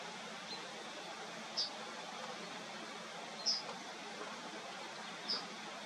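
A Yellowhammer gives three short, high, thin notes, each about two seconds apart, over a steady background hiss.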